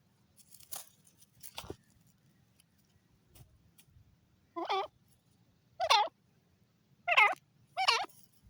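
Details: Francolin giving four loud, harsh, wavering notes spaced about a second apart after a few faint scratches, over a low steady hum.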